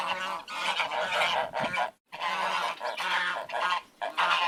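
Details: Many ducks in a flock quacking at once: harsh, nasal calls piling up into a continuous din, broken by one short silent gap midway.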